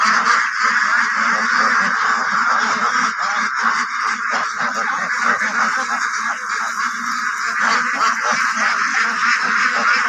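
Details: White Pekin ducks kept on a farm quack together in a loud, steady mass of nasal, honking calls. The sound runs throughout without a break.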